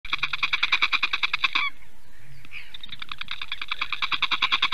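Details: Female Eurasian bittern in Latvia, defending and calling loudly at 8:42 AM on 28 April 2022: fast, harsh pulsed barking notes rapidly repeated about three per second, a short gap, then another rapid pulsing series.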